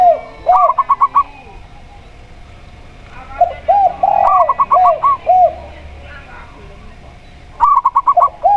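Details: Zebra dove of local stock, clear-voiced, heard with a spotted dove: brief stutter bursts of high coo notes at the start, middle and end, each joined by lower arched coos, with quieter gaps between.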